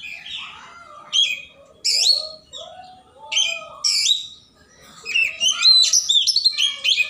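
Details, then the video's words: In the morning, an Oriental magpie-robin sings insistently at a rival, pouring out dense, varied whistles, downslurred notes and rapid twittering phrases, growing busier toward the end. "Kacer Pagi Hari Gacor Ngotot Mencari Lawan"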